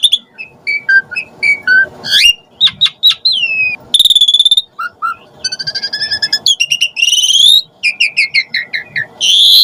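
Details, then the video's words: Asian pied starling sounds meant to lure and excite starlings: varied loud whistles, slurs and rapid note series, mixed with a low steady background hum. "Suara Jalak Suren Auto NYAUT Emosi Cepat RESPON Buat Pancingan Burung Jalak"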